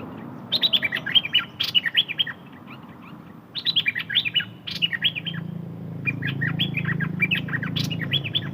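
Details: Bird named นกดอกแตง in Thai repeating short bright twittering phrases, three bursts of quick chirped notes with brief gaps, over a low rumbling background.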